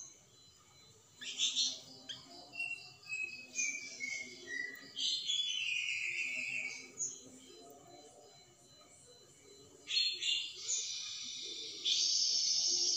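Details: Flamboyan bird in 'tembakan' song, played to make magpie-robins sing. Descending whistled notes are followed by rich, rolling high phrases and long sustained shrill trills, with quiet gaps in between.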